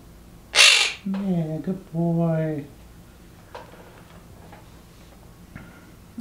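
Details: A pet Quaker parrot in a talk-training session gives a harsh squawk, then voice-like phrases as it tries to mimic speech.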